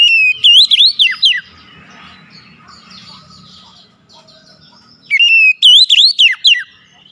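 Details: Lure recording of oriental magpie-robin song, meant to coax a silent bird into singing: two loud bursts of rapid whistled notes, rising and swooping, separated by several seconds of quiet low murmur.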